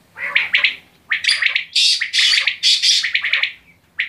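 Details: Quail at close range giving loud, harsh, buzzy multi-note phrases, some squawking and drawn out, packed closely together with brief gaps, clean background.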